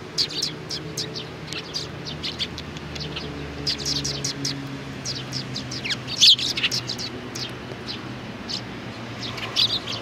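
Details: Chirping sparrows, little ones included, recorded 27 June 2019: continuous high, thin tweets from several birds with a few louder squeaky notes, set against a steady low mechanical hum.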